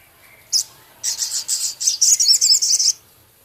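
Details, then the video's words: Male Javan cochoa singing vigorously, its song filled with scarlet minivet-style phrases, ketikan notes and rough crecet. A single high chirp is followed by a dense run of about a dozen sharp, high, chattering notes lasting two seconds. "Masteran Burung Sogon Jantan gacor isian full Sepah raja ketikan crecet kasar"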